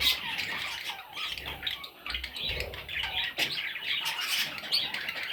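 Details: Parrot chicks produce a continuous, grating chorus of hoarse squawks and thin chirps, steady in loudness from start to end, with occasional faint low bumps.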